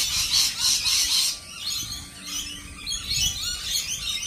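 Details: Lorikeets with a loud, piercing screech pulsing three times in the first second and a half, then softer scratchy chatter continuing over faint low hum.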